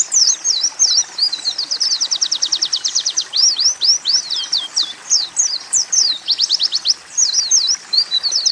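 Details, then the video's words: Oriental white-eye song built from canary and sunbird phrases: a long rapid buzzy trill of very fast repeated notes, then slurred high whistles and another short trill, steady background hiss. "Masteran Pleci Tembakan Kenari-Kolibri"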